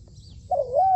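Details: Trained decoy spotted dove kept for dove trapping: after a quiet start, one smooth low cooing note that wavers slightly and levels off near the end, with faint hum underneath.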